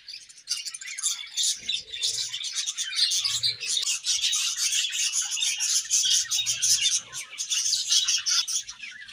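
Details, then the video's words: Many budgerigars in a colony chattering while feeding; constant high-pitched twittering and scratchy chirps pile up, growing louder and busier after the first second. "Budgies Colony Chirping Sounds"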